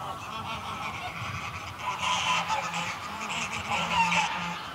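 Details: Greylag goose flock calling at a moderate distance: a steady chorus of overlapping nasal honks and cackles, softer and more continuous than close calls, with faint low hum underneath.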